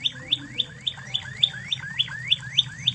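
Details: Original Spanish Timbrado canary from Spain, singing a master song for training other canaries: a steady series of about eleven sharp downslurred notes in three seconds, each a quick high-to-lower sweep, over a faint low hum.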